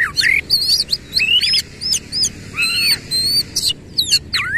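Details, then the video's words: Kacer (Oriental magpie-robin) singing with open tail, loud clear whistled phrases, downward and upward slurs and high thin notes, delivered in quick bursts of about half a second, over steady low background hum. "KACER GACOR NEMBAK NGEROL FULL BUKA EKOR"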